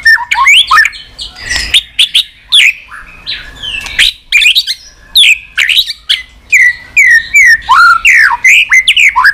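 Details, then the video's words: White-rumped shama giving its continuous tach song for rousing weak birds: a lively, varied stream of whistles, slurs and chips with almost no pauses. "Chòe lửa tạch liên tục"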